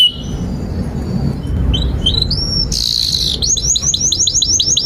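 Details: Canary song for training young or silent canaries: scattered short whistled notes, a brief intense buzzy burst, then a rapid series of about nine bright upward-hooked chips, with low background rumble throughout.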